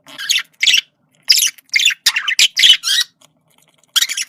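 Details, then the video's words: Male budgerigar communication sound: short raspy squawks and gritty chattering notes in irregular bursts with brief silences between. "sonido de comunicación de periquito macho"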